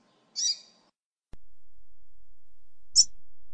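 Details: Female rusty-collared seedeater calling to excite a male: two short, sharp, high chips a few seconds apart, the first rich and slightly buzzy, the second thin and clipped, with stretches of steady low hum and abrupt silences between.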